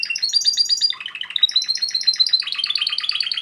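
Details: Timbrado canary, a captive-bred male, sings rapid trilled phrases of repeated notes, shifting from high rolling tours to lower, fast repeated pulses, dense and continuous throughout.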